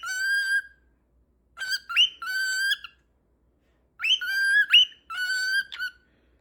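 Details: Cockatiel giving loud harmonic calls: a steady held note, then pairs of calls broken by quick upward slurs, in two bursts separated by silence, with nothing else heard.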